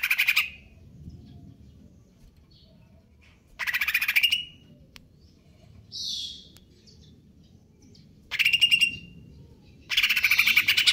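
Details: Konslet kejer nembak song of the Greater green leafbird (cucak ijo): short bursts of rapid buzzy rattles spaced several seconds apart, with a single soft high whistle in between.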